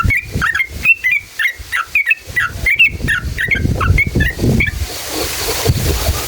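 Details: Yellow-vented bulbul singing a long, rapid ngalas ropel style song, used as a lure to rouse other bulbuls: quick bubbly chirped notes repeating for about five seconds, then a faint hiss and low rumbling.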